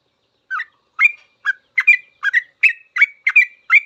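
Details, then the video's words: Yellow-vented bulbul, caged-bird master recording in long 'ropel' style: quick chirped notes with rising whistled tails, about nine in under four seconds, clean with no other sounds. "Suara trucukan full ropel panjang"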